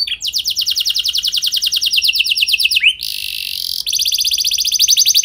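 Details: Canary singing as a lure for other canaries: a long, steadily falling trill of rapid notes, a rising note, a brief sustained buzzy tone, then another dense high trill.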